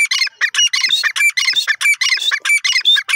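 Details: Grey francolin hen accompanied by chicks, giving a loud rapid run of harsh, squawking multi-part notes, repeated about every third of a second without pause.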